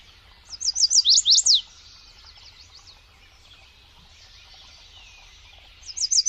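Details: Bird song opening with a fast series of high, sharply falling whistled notes, then a quiet stretch before the same rapid descending notes return at the end.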